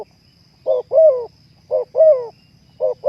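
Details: Terkukur, or spotted dove, in a sound-therapy recording for breeding mood: evenly spaced cooing phrases, each a short clipped note followed by a longer sliding coo, about one per second, with a faint steady whine.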